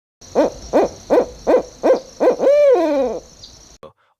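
An owl gives six short, low hoots in quick even succession, then one longer hoot that wavers and slides downward. A faint steady hiss runs underneath.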